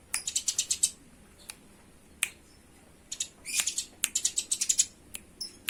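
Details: Quick chattering runs of shrill chirps from fighting Eurasian tree sparrows, broken by isolated sharp notes and brief silences.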